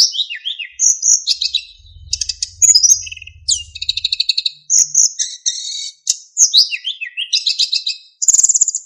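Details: Tutor song of a narcissus flycatcher for training other birds, packed with fill-in phrases and clear flute-like whistles: cascading downslurred notes, harsh buzzy trills and ringing high whistles in a busy, varied stream, with some low rumbling noise.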